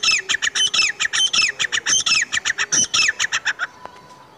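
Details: Partridge in season giving a fast, loud run of grating squawks, roughly twenty notes over three and a half seconds, then stopping abruptly before a brief faint tone.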